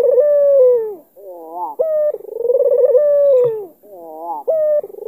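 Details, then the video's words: An albino Barbary dove with a dark collar, from Kalimantan, coos to lure a rival into responding, with soft wavering notes and a sharp clear note ahead of a long vibrating coo, repeated twice. "PUTER ALBINO KALUNG HITAM MANCING LAWAN BUNYI 100% GACOR"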